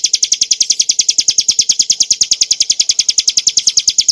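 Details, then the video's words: Ciblek gunung (Bar-winged prinia) used for masteran, singing a clear high song of fast, uniform chipping notes, about eight each second, rolling on steadily with nothing else audible. "kicauan burung ciblek gurun untuk masteran & pancingan - suara jernih ngebren nembak"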